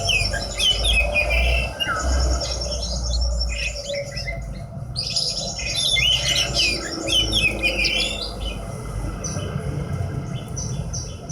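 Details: Horsfield's bush lark, a hobby cage bird, delivering long bursts of rapid high twittering and chattering notes with short pauses, over strong low rumbling background noise.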